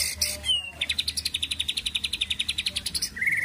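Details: White-rumped shama song with a fast, even series of bright chirps, about seven per second, held for over two seconds, introduced by high whistled and rasping notes and ending on a short warble.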